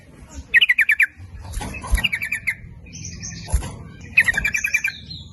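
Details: Sooty-headed bulbul lure song aimed at males and females: rapid bubbling phrases of five or six notes, a softer warble and high thin whistle between them.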